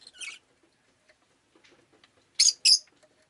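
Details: Rosy-faced lovebird kept as a pet, recorded on a rainy day: a shrill, high chirp near the start, then two loud, sharp chirps close together, with faint soft rustles in the quiet gaps.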